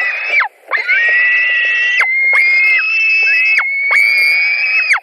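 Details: White-tailed eagle nest in Latvia, July 2020, about 22:00, fish being delivered and fought over: nearly continuous drawn-out screeching calls, each over a second long with a falling end, almost no silence between them.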